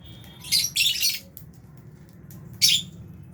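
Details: Lovebirds, including albino and Fisher's, eating in an aviary alongside budgies; harsh, high, squawky chirps in a quick double burst, then a pause and one more sharp shriek over a faint low hum.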